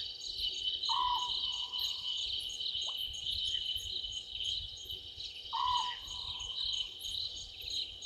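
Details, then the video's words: Night call of a small owlet in a tree at Gowrie dam, Sabi Sand Wildtuin, South Africa, 00:38, 11/12/2023: two rolling low notes about 4.5 seconds apart, a faint brief click between, over constant cricket song. "Small Owlet in tree"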